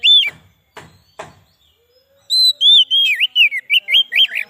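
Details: White-rumped shama lure song: a loud whistle, a few dry clicks, a pause, then a fluid string of looping, up-and-down whistled notes.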